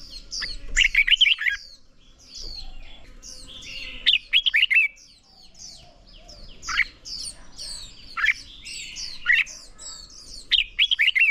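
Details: Red-whiskered bulbul song played to push birds toward fighting song: repeated short bursts of fast, bright warbled notes scattered across the stretch, amid busy quieter twittering from other birds.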